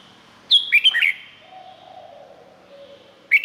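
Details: Red-whiskered bulbul singing in Thailand: one quick whistled phrase of bright, slurred, dropping notes with a resonant echo, then a soft low hum, and the start of another phrase at the end.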